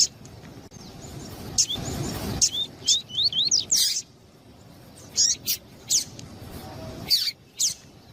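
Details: Double-collared seedeater singing the tuí-tuí style alongside a calling female, used to excite a male; a short run of rising whistled notes, then scattered sharp chips and clicks.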